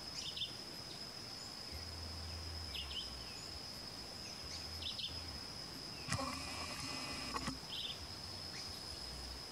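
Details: Crescent-chested puffbird (Malacoptila striata): brief, thin high notes every two to three seconds over a shrill insect whine, with a harsher burst midway and a low rumble beneath.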